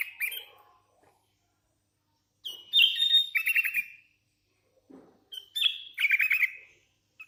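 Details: Sooty-headed bulbul, hand-reared and singing freely: two matching phrases a few seconds apart, each opening with a clear whistle and ending in a rapid stuttering trill of four or five notes.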